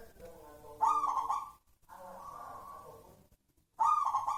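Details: Zebra dove of a local wild type delivering a soft, vibrating coo phrase, followed by a longer, flatter hum and then a fresh loud coo burst after a short silence.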